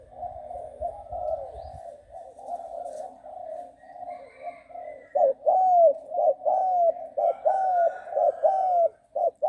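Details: Trained young spotted dove aged six months, Bang Kaeo Tai style, starts with a soft continuous murmuring coo, then breaks into crisp, evenly spaced hollow coo phrases with falling drawn-out ends.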